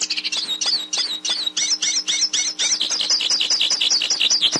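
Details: Hooded siskin song for training a captive bird: lively, high, slurred notes repeated roughly twice a second, with some squeaky twitters between phrases and a faint steady hum behind.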